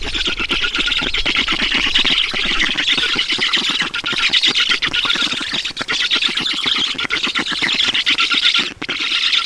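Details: Black storks at a nest in Estonia during feeding, 10 June 2019 at 12:52; dense, continuous harsh rasping squawks that run together without pause, with a buzzy high edge throughout.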